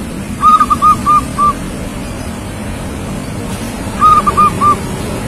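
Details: Local zebra dove, young but already an active singer: two brief phrases of four and three evenly spaced, soft cooing notes, about three and a half seconds apart, against a low background hum.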